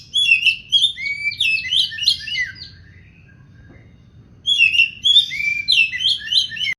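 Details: Vigorous oriental magpie-robin (kacer poci) song in two bursts of rapid, chattering, whistled high notes, separated by a quiet pause of roughly a second and a half.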